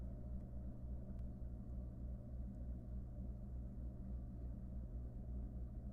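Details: No animal voice, only a steady low rumble and hum throughout, like distant traffic or machinery.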